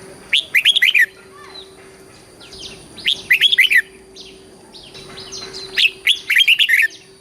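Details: Red-whiskered bulbul in Thailand singing a southern master-style song, used to rouse and train birds: three bright phrases of rapid rising and falling whistled notes, roughly every three seconds, with a faint constant tone behind.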